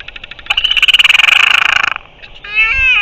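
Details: Northern royal albatross, 05.03.2023: a loud, fast, even train of about twenty clattering pulses over one and a half seconds, a brief pause, then a rough, drawn-out harmonic moan.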